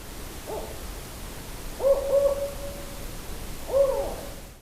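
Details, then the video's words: A male spotted owl in California's Sierra Nevada, caught by an autonomous recording unit in a study of invasive barred owls, gives low, hollow hoots: a faint single note, a short run, then a final drawn-out hoo, over hiss. "all right let's give a listen to the spotted owl"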